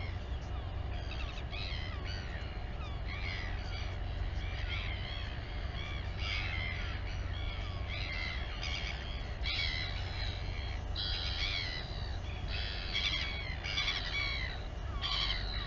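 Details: At Taiaroa Head, Dunedin, New Zealand, a Royal albatross mother feeds her chick on a live colony camera; rapid series of rasping, nasal squawks in clustered bursts, continuing throughout, with heavy low wind noise beneath.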